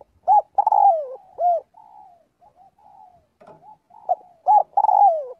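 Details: A spotted dove calls its flock in daily vocal practice. An opening phrase of hoots and a long falling coo is followed by several seconds of soft, low murmured coos, then a second loud phrase near the end.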